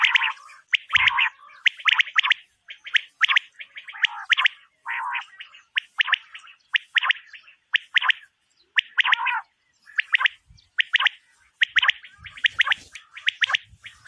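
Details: Female quail calling, a sound used as a lure in quail hunting at night: rapid bursts of two to four sharp, bright chirps, repeated about every second with brief pauses. No other sounds stand out.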